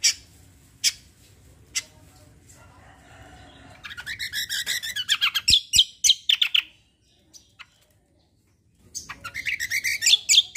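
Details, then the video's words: Bulbul in lively song, the kombo roll tembak style: scattered sharp clicks, then a dense burst of rapid high chirps and rattles, a short silence, and another energetic volley of shrill notes. "CUCAK KOMBO KECIAL KOMBO ROLL TEMBAK GACOR COR"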